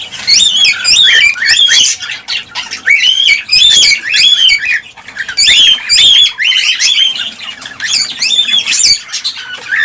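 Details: Several cockatiels, whose calling is meant to spur pairing and breeding, give near-continuous bright whistled notes with rich overtones, rising and dipping, in runs of about a second separated by brief pauses.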